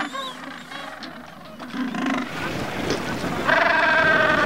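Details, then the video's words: Gentoo and chinstrap penguins in the Antarctic Peninsula islands bray and bleat in harsh, nasal, harmonic calls, several birds overlapping at once, ending in a loud drawn-out cry. "Gentoo Chinstrap penguin 原音呈獻"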